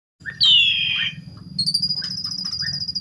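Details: {'caption': 'Asian pied starling singing, used as a lure to provoke other starlings into song: one loud harsh note sliding downward, then a long thin buzzy whistle held high with a fluttering pulse, over a steady low hum.'}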